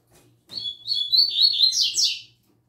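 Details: Song of a young double-collared seedeater in the tui tui zel zel style: a bright phrase of connected high whistles and buzzy slurs, rising at the close, lasting nearly two seconds over a quiet background hum.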